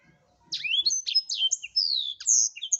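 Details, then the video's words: Prolific blackthroat song for tutoring caged singers: a continuous warbling run of high sliding whistles, swooping up and down, mixed with quick buzzy notes, with no pauses across the phrase. "Blackthroat #masteran Burung blekstrut Gacor"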